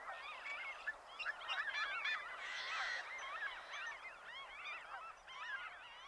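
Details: A dense chorus of Franklin's Gulls at a wheat-field margin in Chouteau County, Montana, USA, early morning of 5 June 2025 during a breeding bird survey; short, nasal, laughing calls overlapping constantly, several each second.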